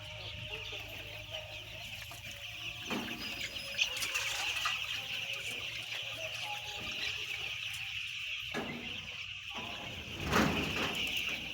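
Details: A large flock of white chicks, stated as ten thousand, peeping nonstop in a dense high-pitched chorus of overlapping cheeps, with a few louder bursts and a steady low hum underneath.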